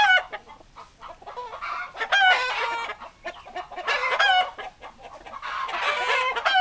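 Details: Chickens clucking with roosters crowing, loud drawn-out harmonic calls roughly every two seconds over constant clucking chatter from a flock.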